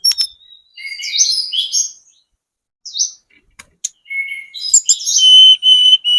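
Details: Sunda robin, spotted type, singing as a lure for other birds: scattered buzzy high phrases with long gaps, a few sharp clicks, then a louder closing burst of bright trilled whistles.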